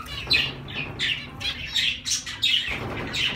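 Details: Zebra finches giving short nasal honks, spaced about every half second, slightly uneven, some notes overlapping, over quiet low background hum.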